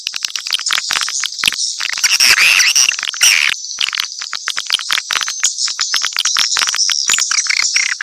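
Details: A busy mixed swiftlet chorus of shrill, overlapping chirps and clicks, swelling louder in the middle and then settling into steady chatter.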